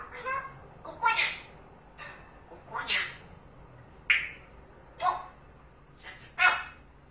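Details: Pet parrot, excited by a cat seen through the window, gives a series of sharp, rising speech-like bursts at intervals of roughly one second, with a person speaking softly at times.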